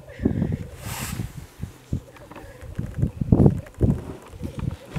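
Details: Black grouse at an undisclosed site in mid-Wales on 17 February 2018, very early on a gloomy morning; a low, steady bubbling drone runs beneath irregular deep thumping bursts, with one loud hissing rush near the start.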